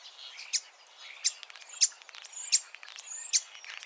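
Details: A common starling in Ireland sings a jumble of high whistles, clicks and sharp chirps, a mimic that copies other species' songs. Bright notes burst out roughly every second among rattling chatter.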